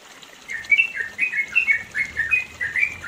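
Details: Yellow-vented bulbul, mountain area of East Java, Indonesia, singing its long rapid 'ropel panjang' song: after a brief quiet start, a busy chain of bubbly, slurred whistles runs on continuously above soft hiss.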